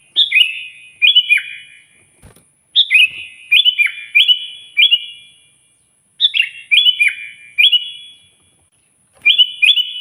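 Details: Energetic Sooty-headed bulbul song used to call a rival, a rapid run of three or four bouncy, falling whistles per burst, with three bursts in ten seconds over quiet surroundings.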